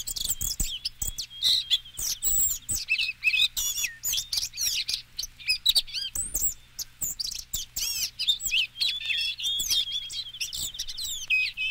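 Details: Blue-gray gnatcatcher (Polioptila caerulea), song.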